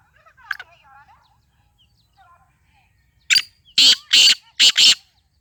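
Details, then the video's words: Thin chirps and warbled notes from small birds come first. Then the Sindhi teetar, black francolin, gives its loud grating call of five rasping notes, ending in a rapid double. "sindhi teetar ki awaz"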